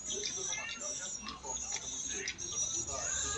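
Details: Recording of a black-nest swiftlet roosting call, original swiftlet sound used for swiftlet farming, played back as dense, high, rapid twittering of chirps and clicks with a man talking over it.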